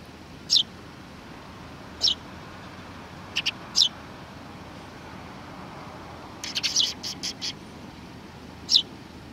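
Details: Sparrows recorded on 30 March 2019: scattered high, thin chirps at irregular intervals, then a brief cluster of quick chirps near the end, over a steady low background hiss.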